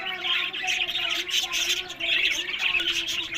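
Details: Flock of caged budgerigars kept for breeding in Larkana, Sindh, chattering nonstop: high, harsh squeaks and rapid scratchy warbles layered over one another, with a brief dip in loudness midway.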